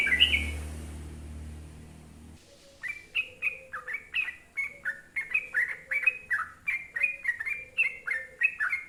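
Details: Sooty-headed bulbul (trucuk) in the long, rolling 'gacor ropel panjang' style, used to prompt other bulbuls to sing; after a low rumble, quick chattering phrases of slurred, bouncing whistled notes, roughly three per second.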